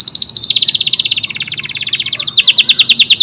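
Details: Short burst of rapid, tightly packed canary trills from a Kenari AF: high pulsing notes repeated several times per second, changing pitch midway. Used as filler song for other cage birds.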